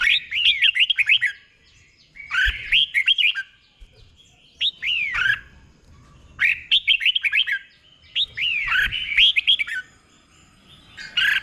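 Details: Tutor song from a caged red-whiskered bulbul, meant for training other caged birds: five or six separate bubbling phrases of quick, looping whistles, each lasting about a second, spaced by brief gaps.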